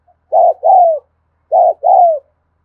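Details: Spotted dove, 'thúc gù' cooing style, recorded in the afternoon: two clear double coos about a second apart, each a short burst followed by a longer note sliding downward.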